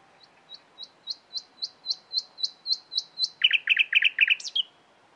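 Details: Nightingale song opening with a slow series of thin, high whistled notes that grow steadily louder, then breaking into a fast, rich chattering trill and a final sharp upward flick.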